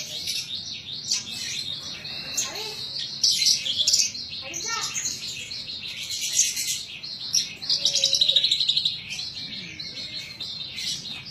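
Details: {'0': "Kept Horsfield's bush lark singing gacor: long stretches of busy, high twittering and scratchy notes, with a fast regular trill around the eighth second, steady throughout."}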